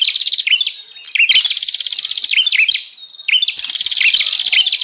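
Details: Bar-winged prinia lure sound: two long, buzzy, rattling phrases of rapid notes, separated by a softer lull, for drawing in wild prinias or prompting silent caged birds to sing.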